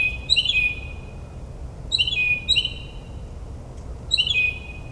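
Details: Northern mockingbird singing at midnight in New Jersey suburbs, mimicking other birds: short bright chirped phrases with a clear whistled tone, bursts repeated at irregular gaps about two seconds apart, faint low background hum.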